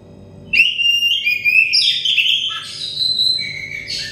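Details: Stressed, untrained Oriental magpie-robin singing, as therapy to make it sing quickly: a sudden start into clear, sliding whistles and buzzy trills, continuing steadily, with a soft low hum behind.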